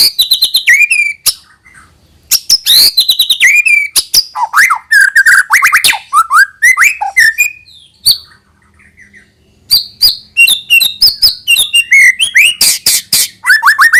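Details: White-rumped shama song intended to get young birds singing often. Long, energetic phrases mix high downslurred whistles, fast chatter and looping slurs, broken by brief pauses before each new burst.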